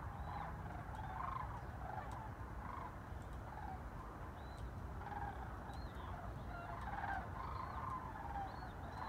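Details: Many migrating Sandhill Cranes flying over Chicago's North Shore on December 7, 2016, giving rolling, trumpeting calls that repeat and overlap across the flock. A steady low rumble of wind or traffic runs beneath throughout.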